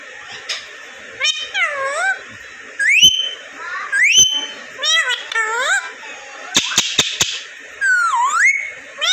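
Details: Talking ringneck parrot kept as a pet in Vehari, Punjab, Pakistan; a string of speech-like whistled phrases with swooping rising and falling notes, several sharp clicks, loud and close.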